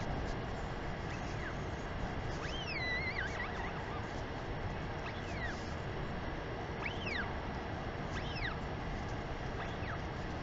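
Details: In New Zealand on a March 2021 afternoon, a Northern royal albatross mother sky-calls to her chick before feeding; faint, scattered, bending whistled notes, with a warbling phrase near three seconds, are partly masked by constant wind noise.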